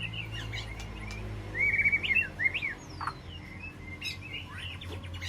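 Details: White-rumped shama in an aviary calling to its flock: a burst of fast, slurred whistled notes around the middle, with scattered higher chirps before and after over a low steady hum.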